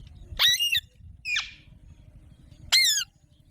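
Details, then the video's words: Three hoarse, ringing squawks from an Alexandrine parakeet, the middle one shorter and raspier, against a quiet low hum. "Alexandra Parrot Natural Sounds | Mitthu Ki Awaaz | Parrot Ki Awaaz"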